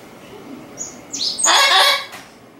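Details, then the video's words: Pet Amazon parrot inside a house, calling toward a white cockatoo upstairs: a few short, high whistled notes, then a raucous, grating squawk of roughly half a second that fades into room quiet. "二階に居る タイハクオウムに呼びかけるボウシインコ"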